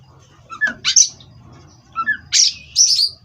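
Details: Oriental magpie-robin from an Indonesian breeding farm, Cirebon race, played as a therapy recording to steady a kacer on its perch: two short bursts of high whistled and chirped notes separated by a pause, with a faint low hum beneath.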